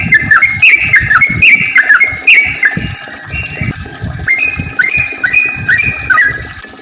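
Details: Yellow-vented bulbul's long, lively song, played to get other bulbuls active and singing. Bubbly whistled notes rise and drop in quick phrases over steady low rumbling thuds.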